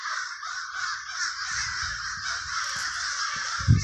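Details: Dense crow cawing in a Trenton, New Jersey neighborhood, Villa Park, constant and harsh, with low thumps and a brief knock near the end beneath the flock.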